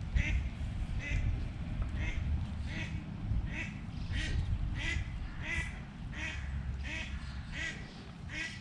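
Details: Eastern spot-billed duck mother moving her tiny ducklings in early morning, during an episode where a cat attacked two chicks; a long series of regular, harsh, nasal quacks roughly every 0.6 seconds, with constant low-pitched background rumble.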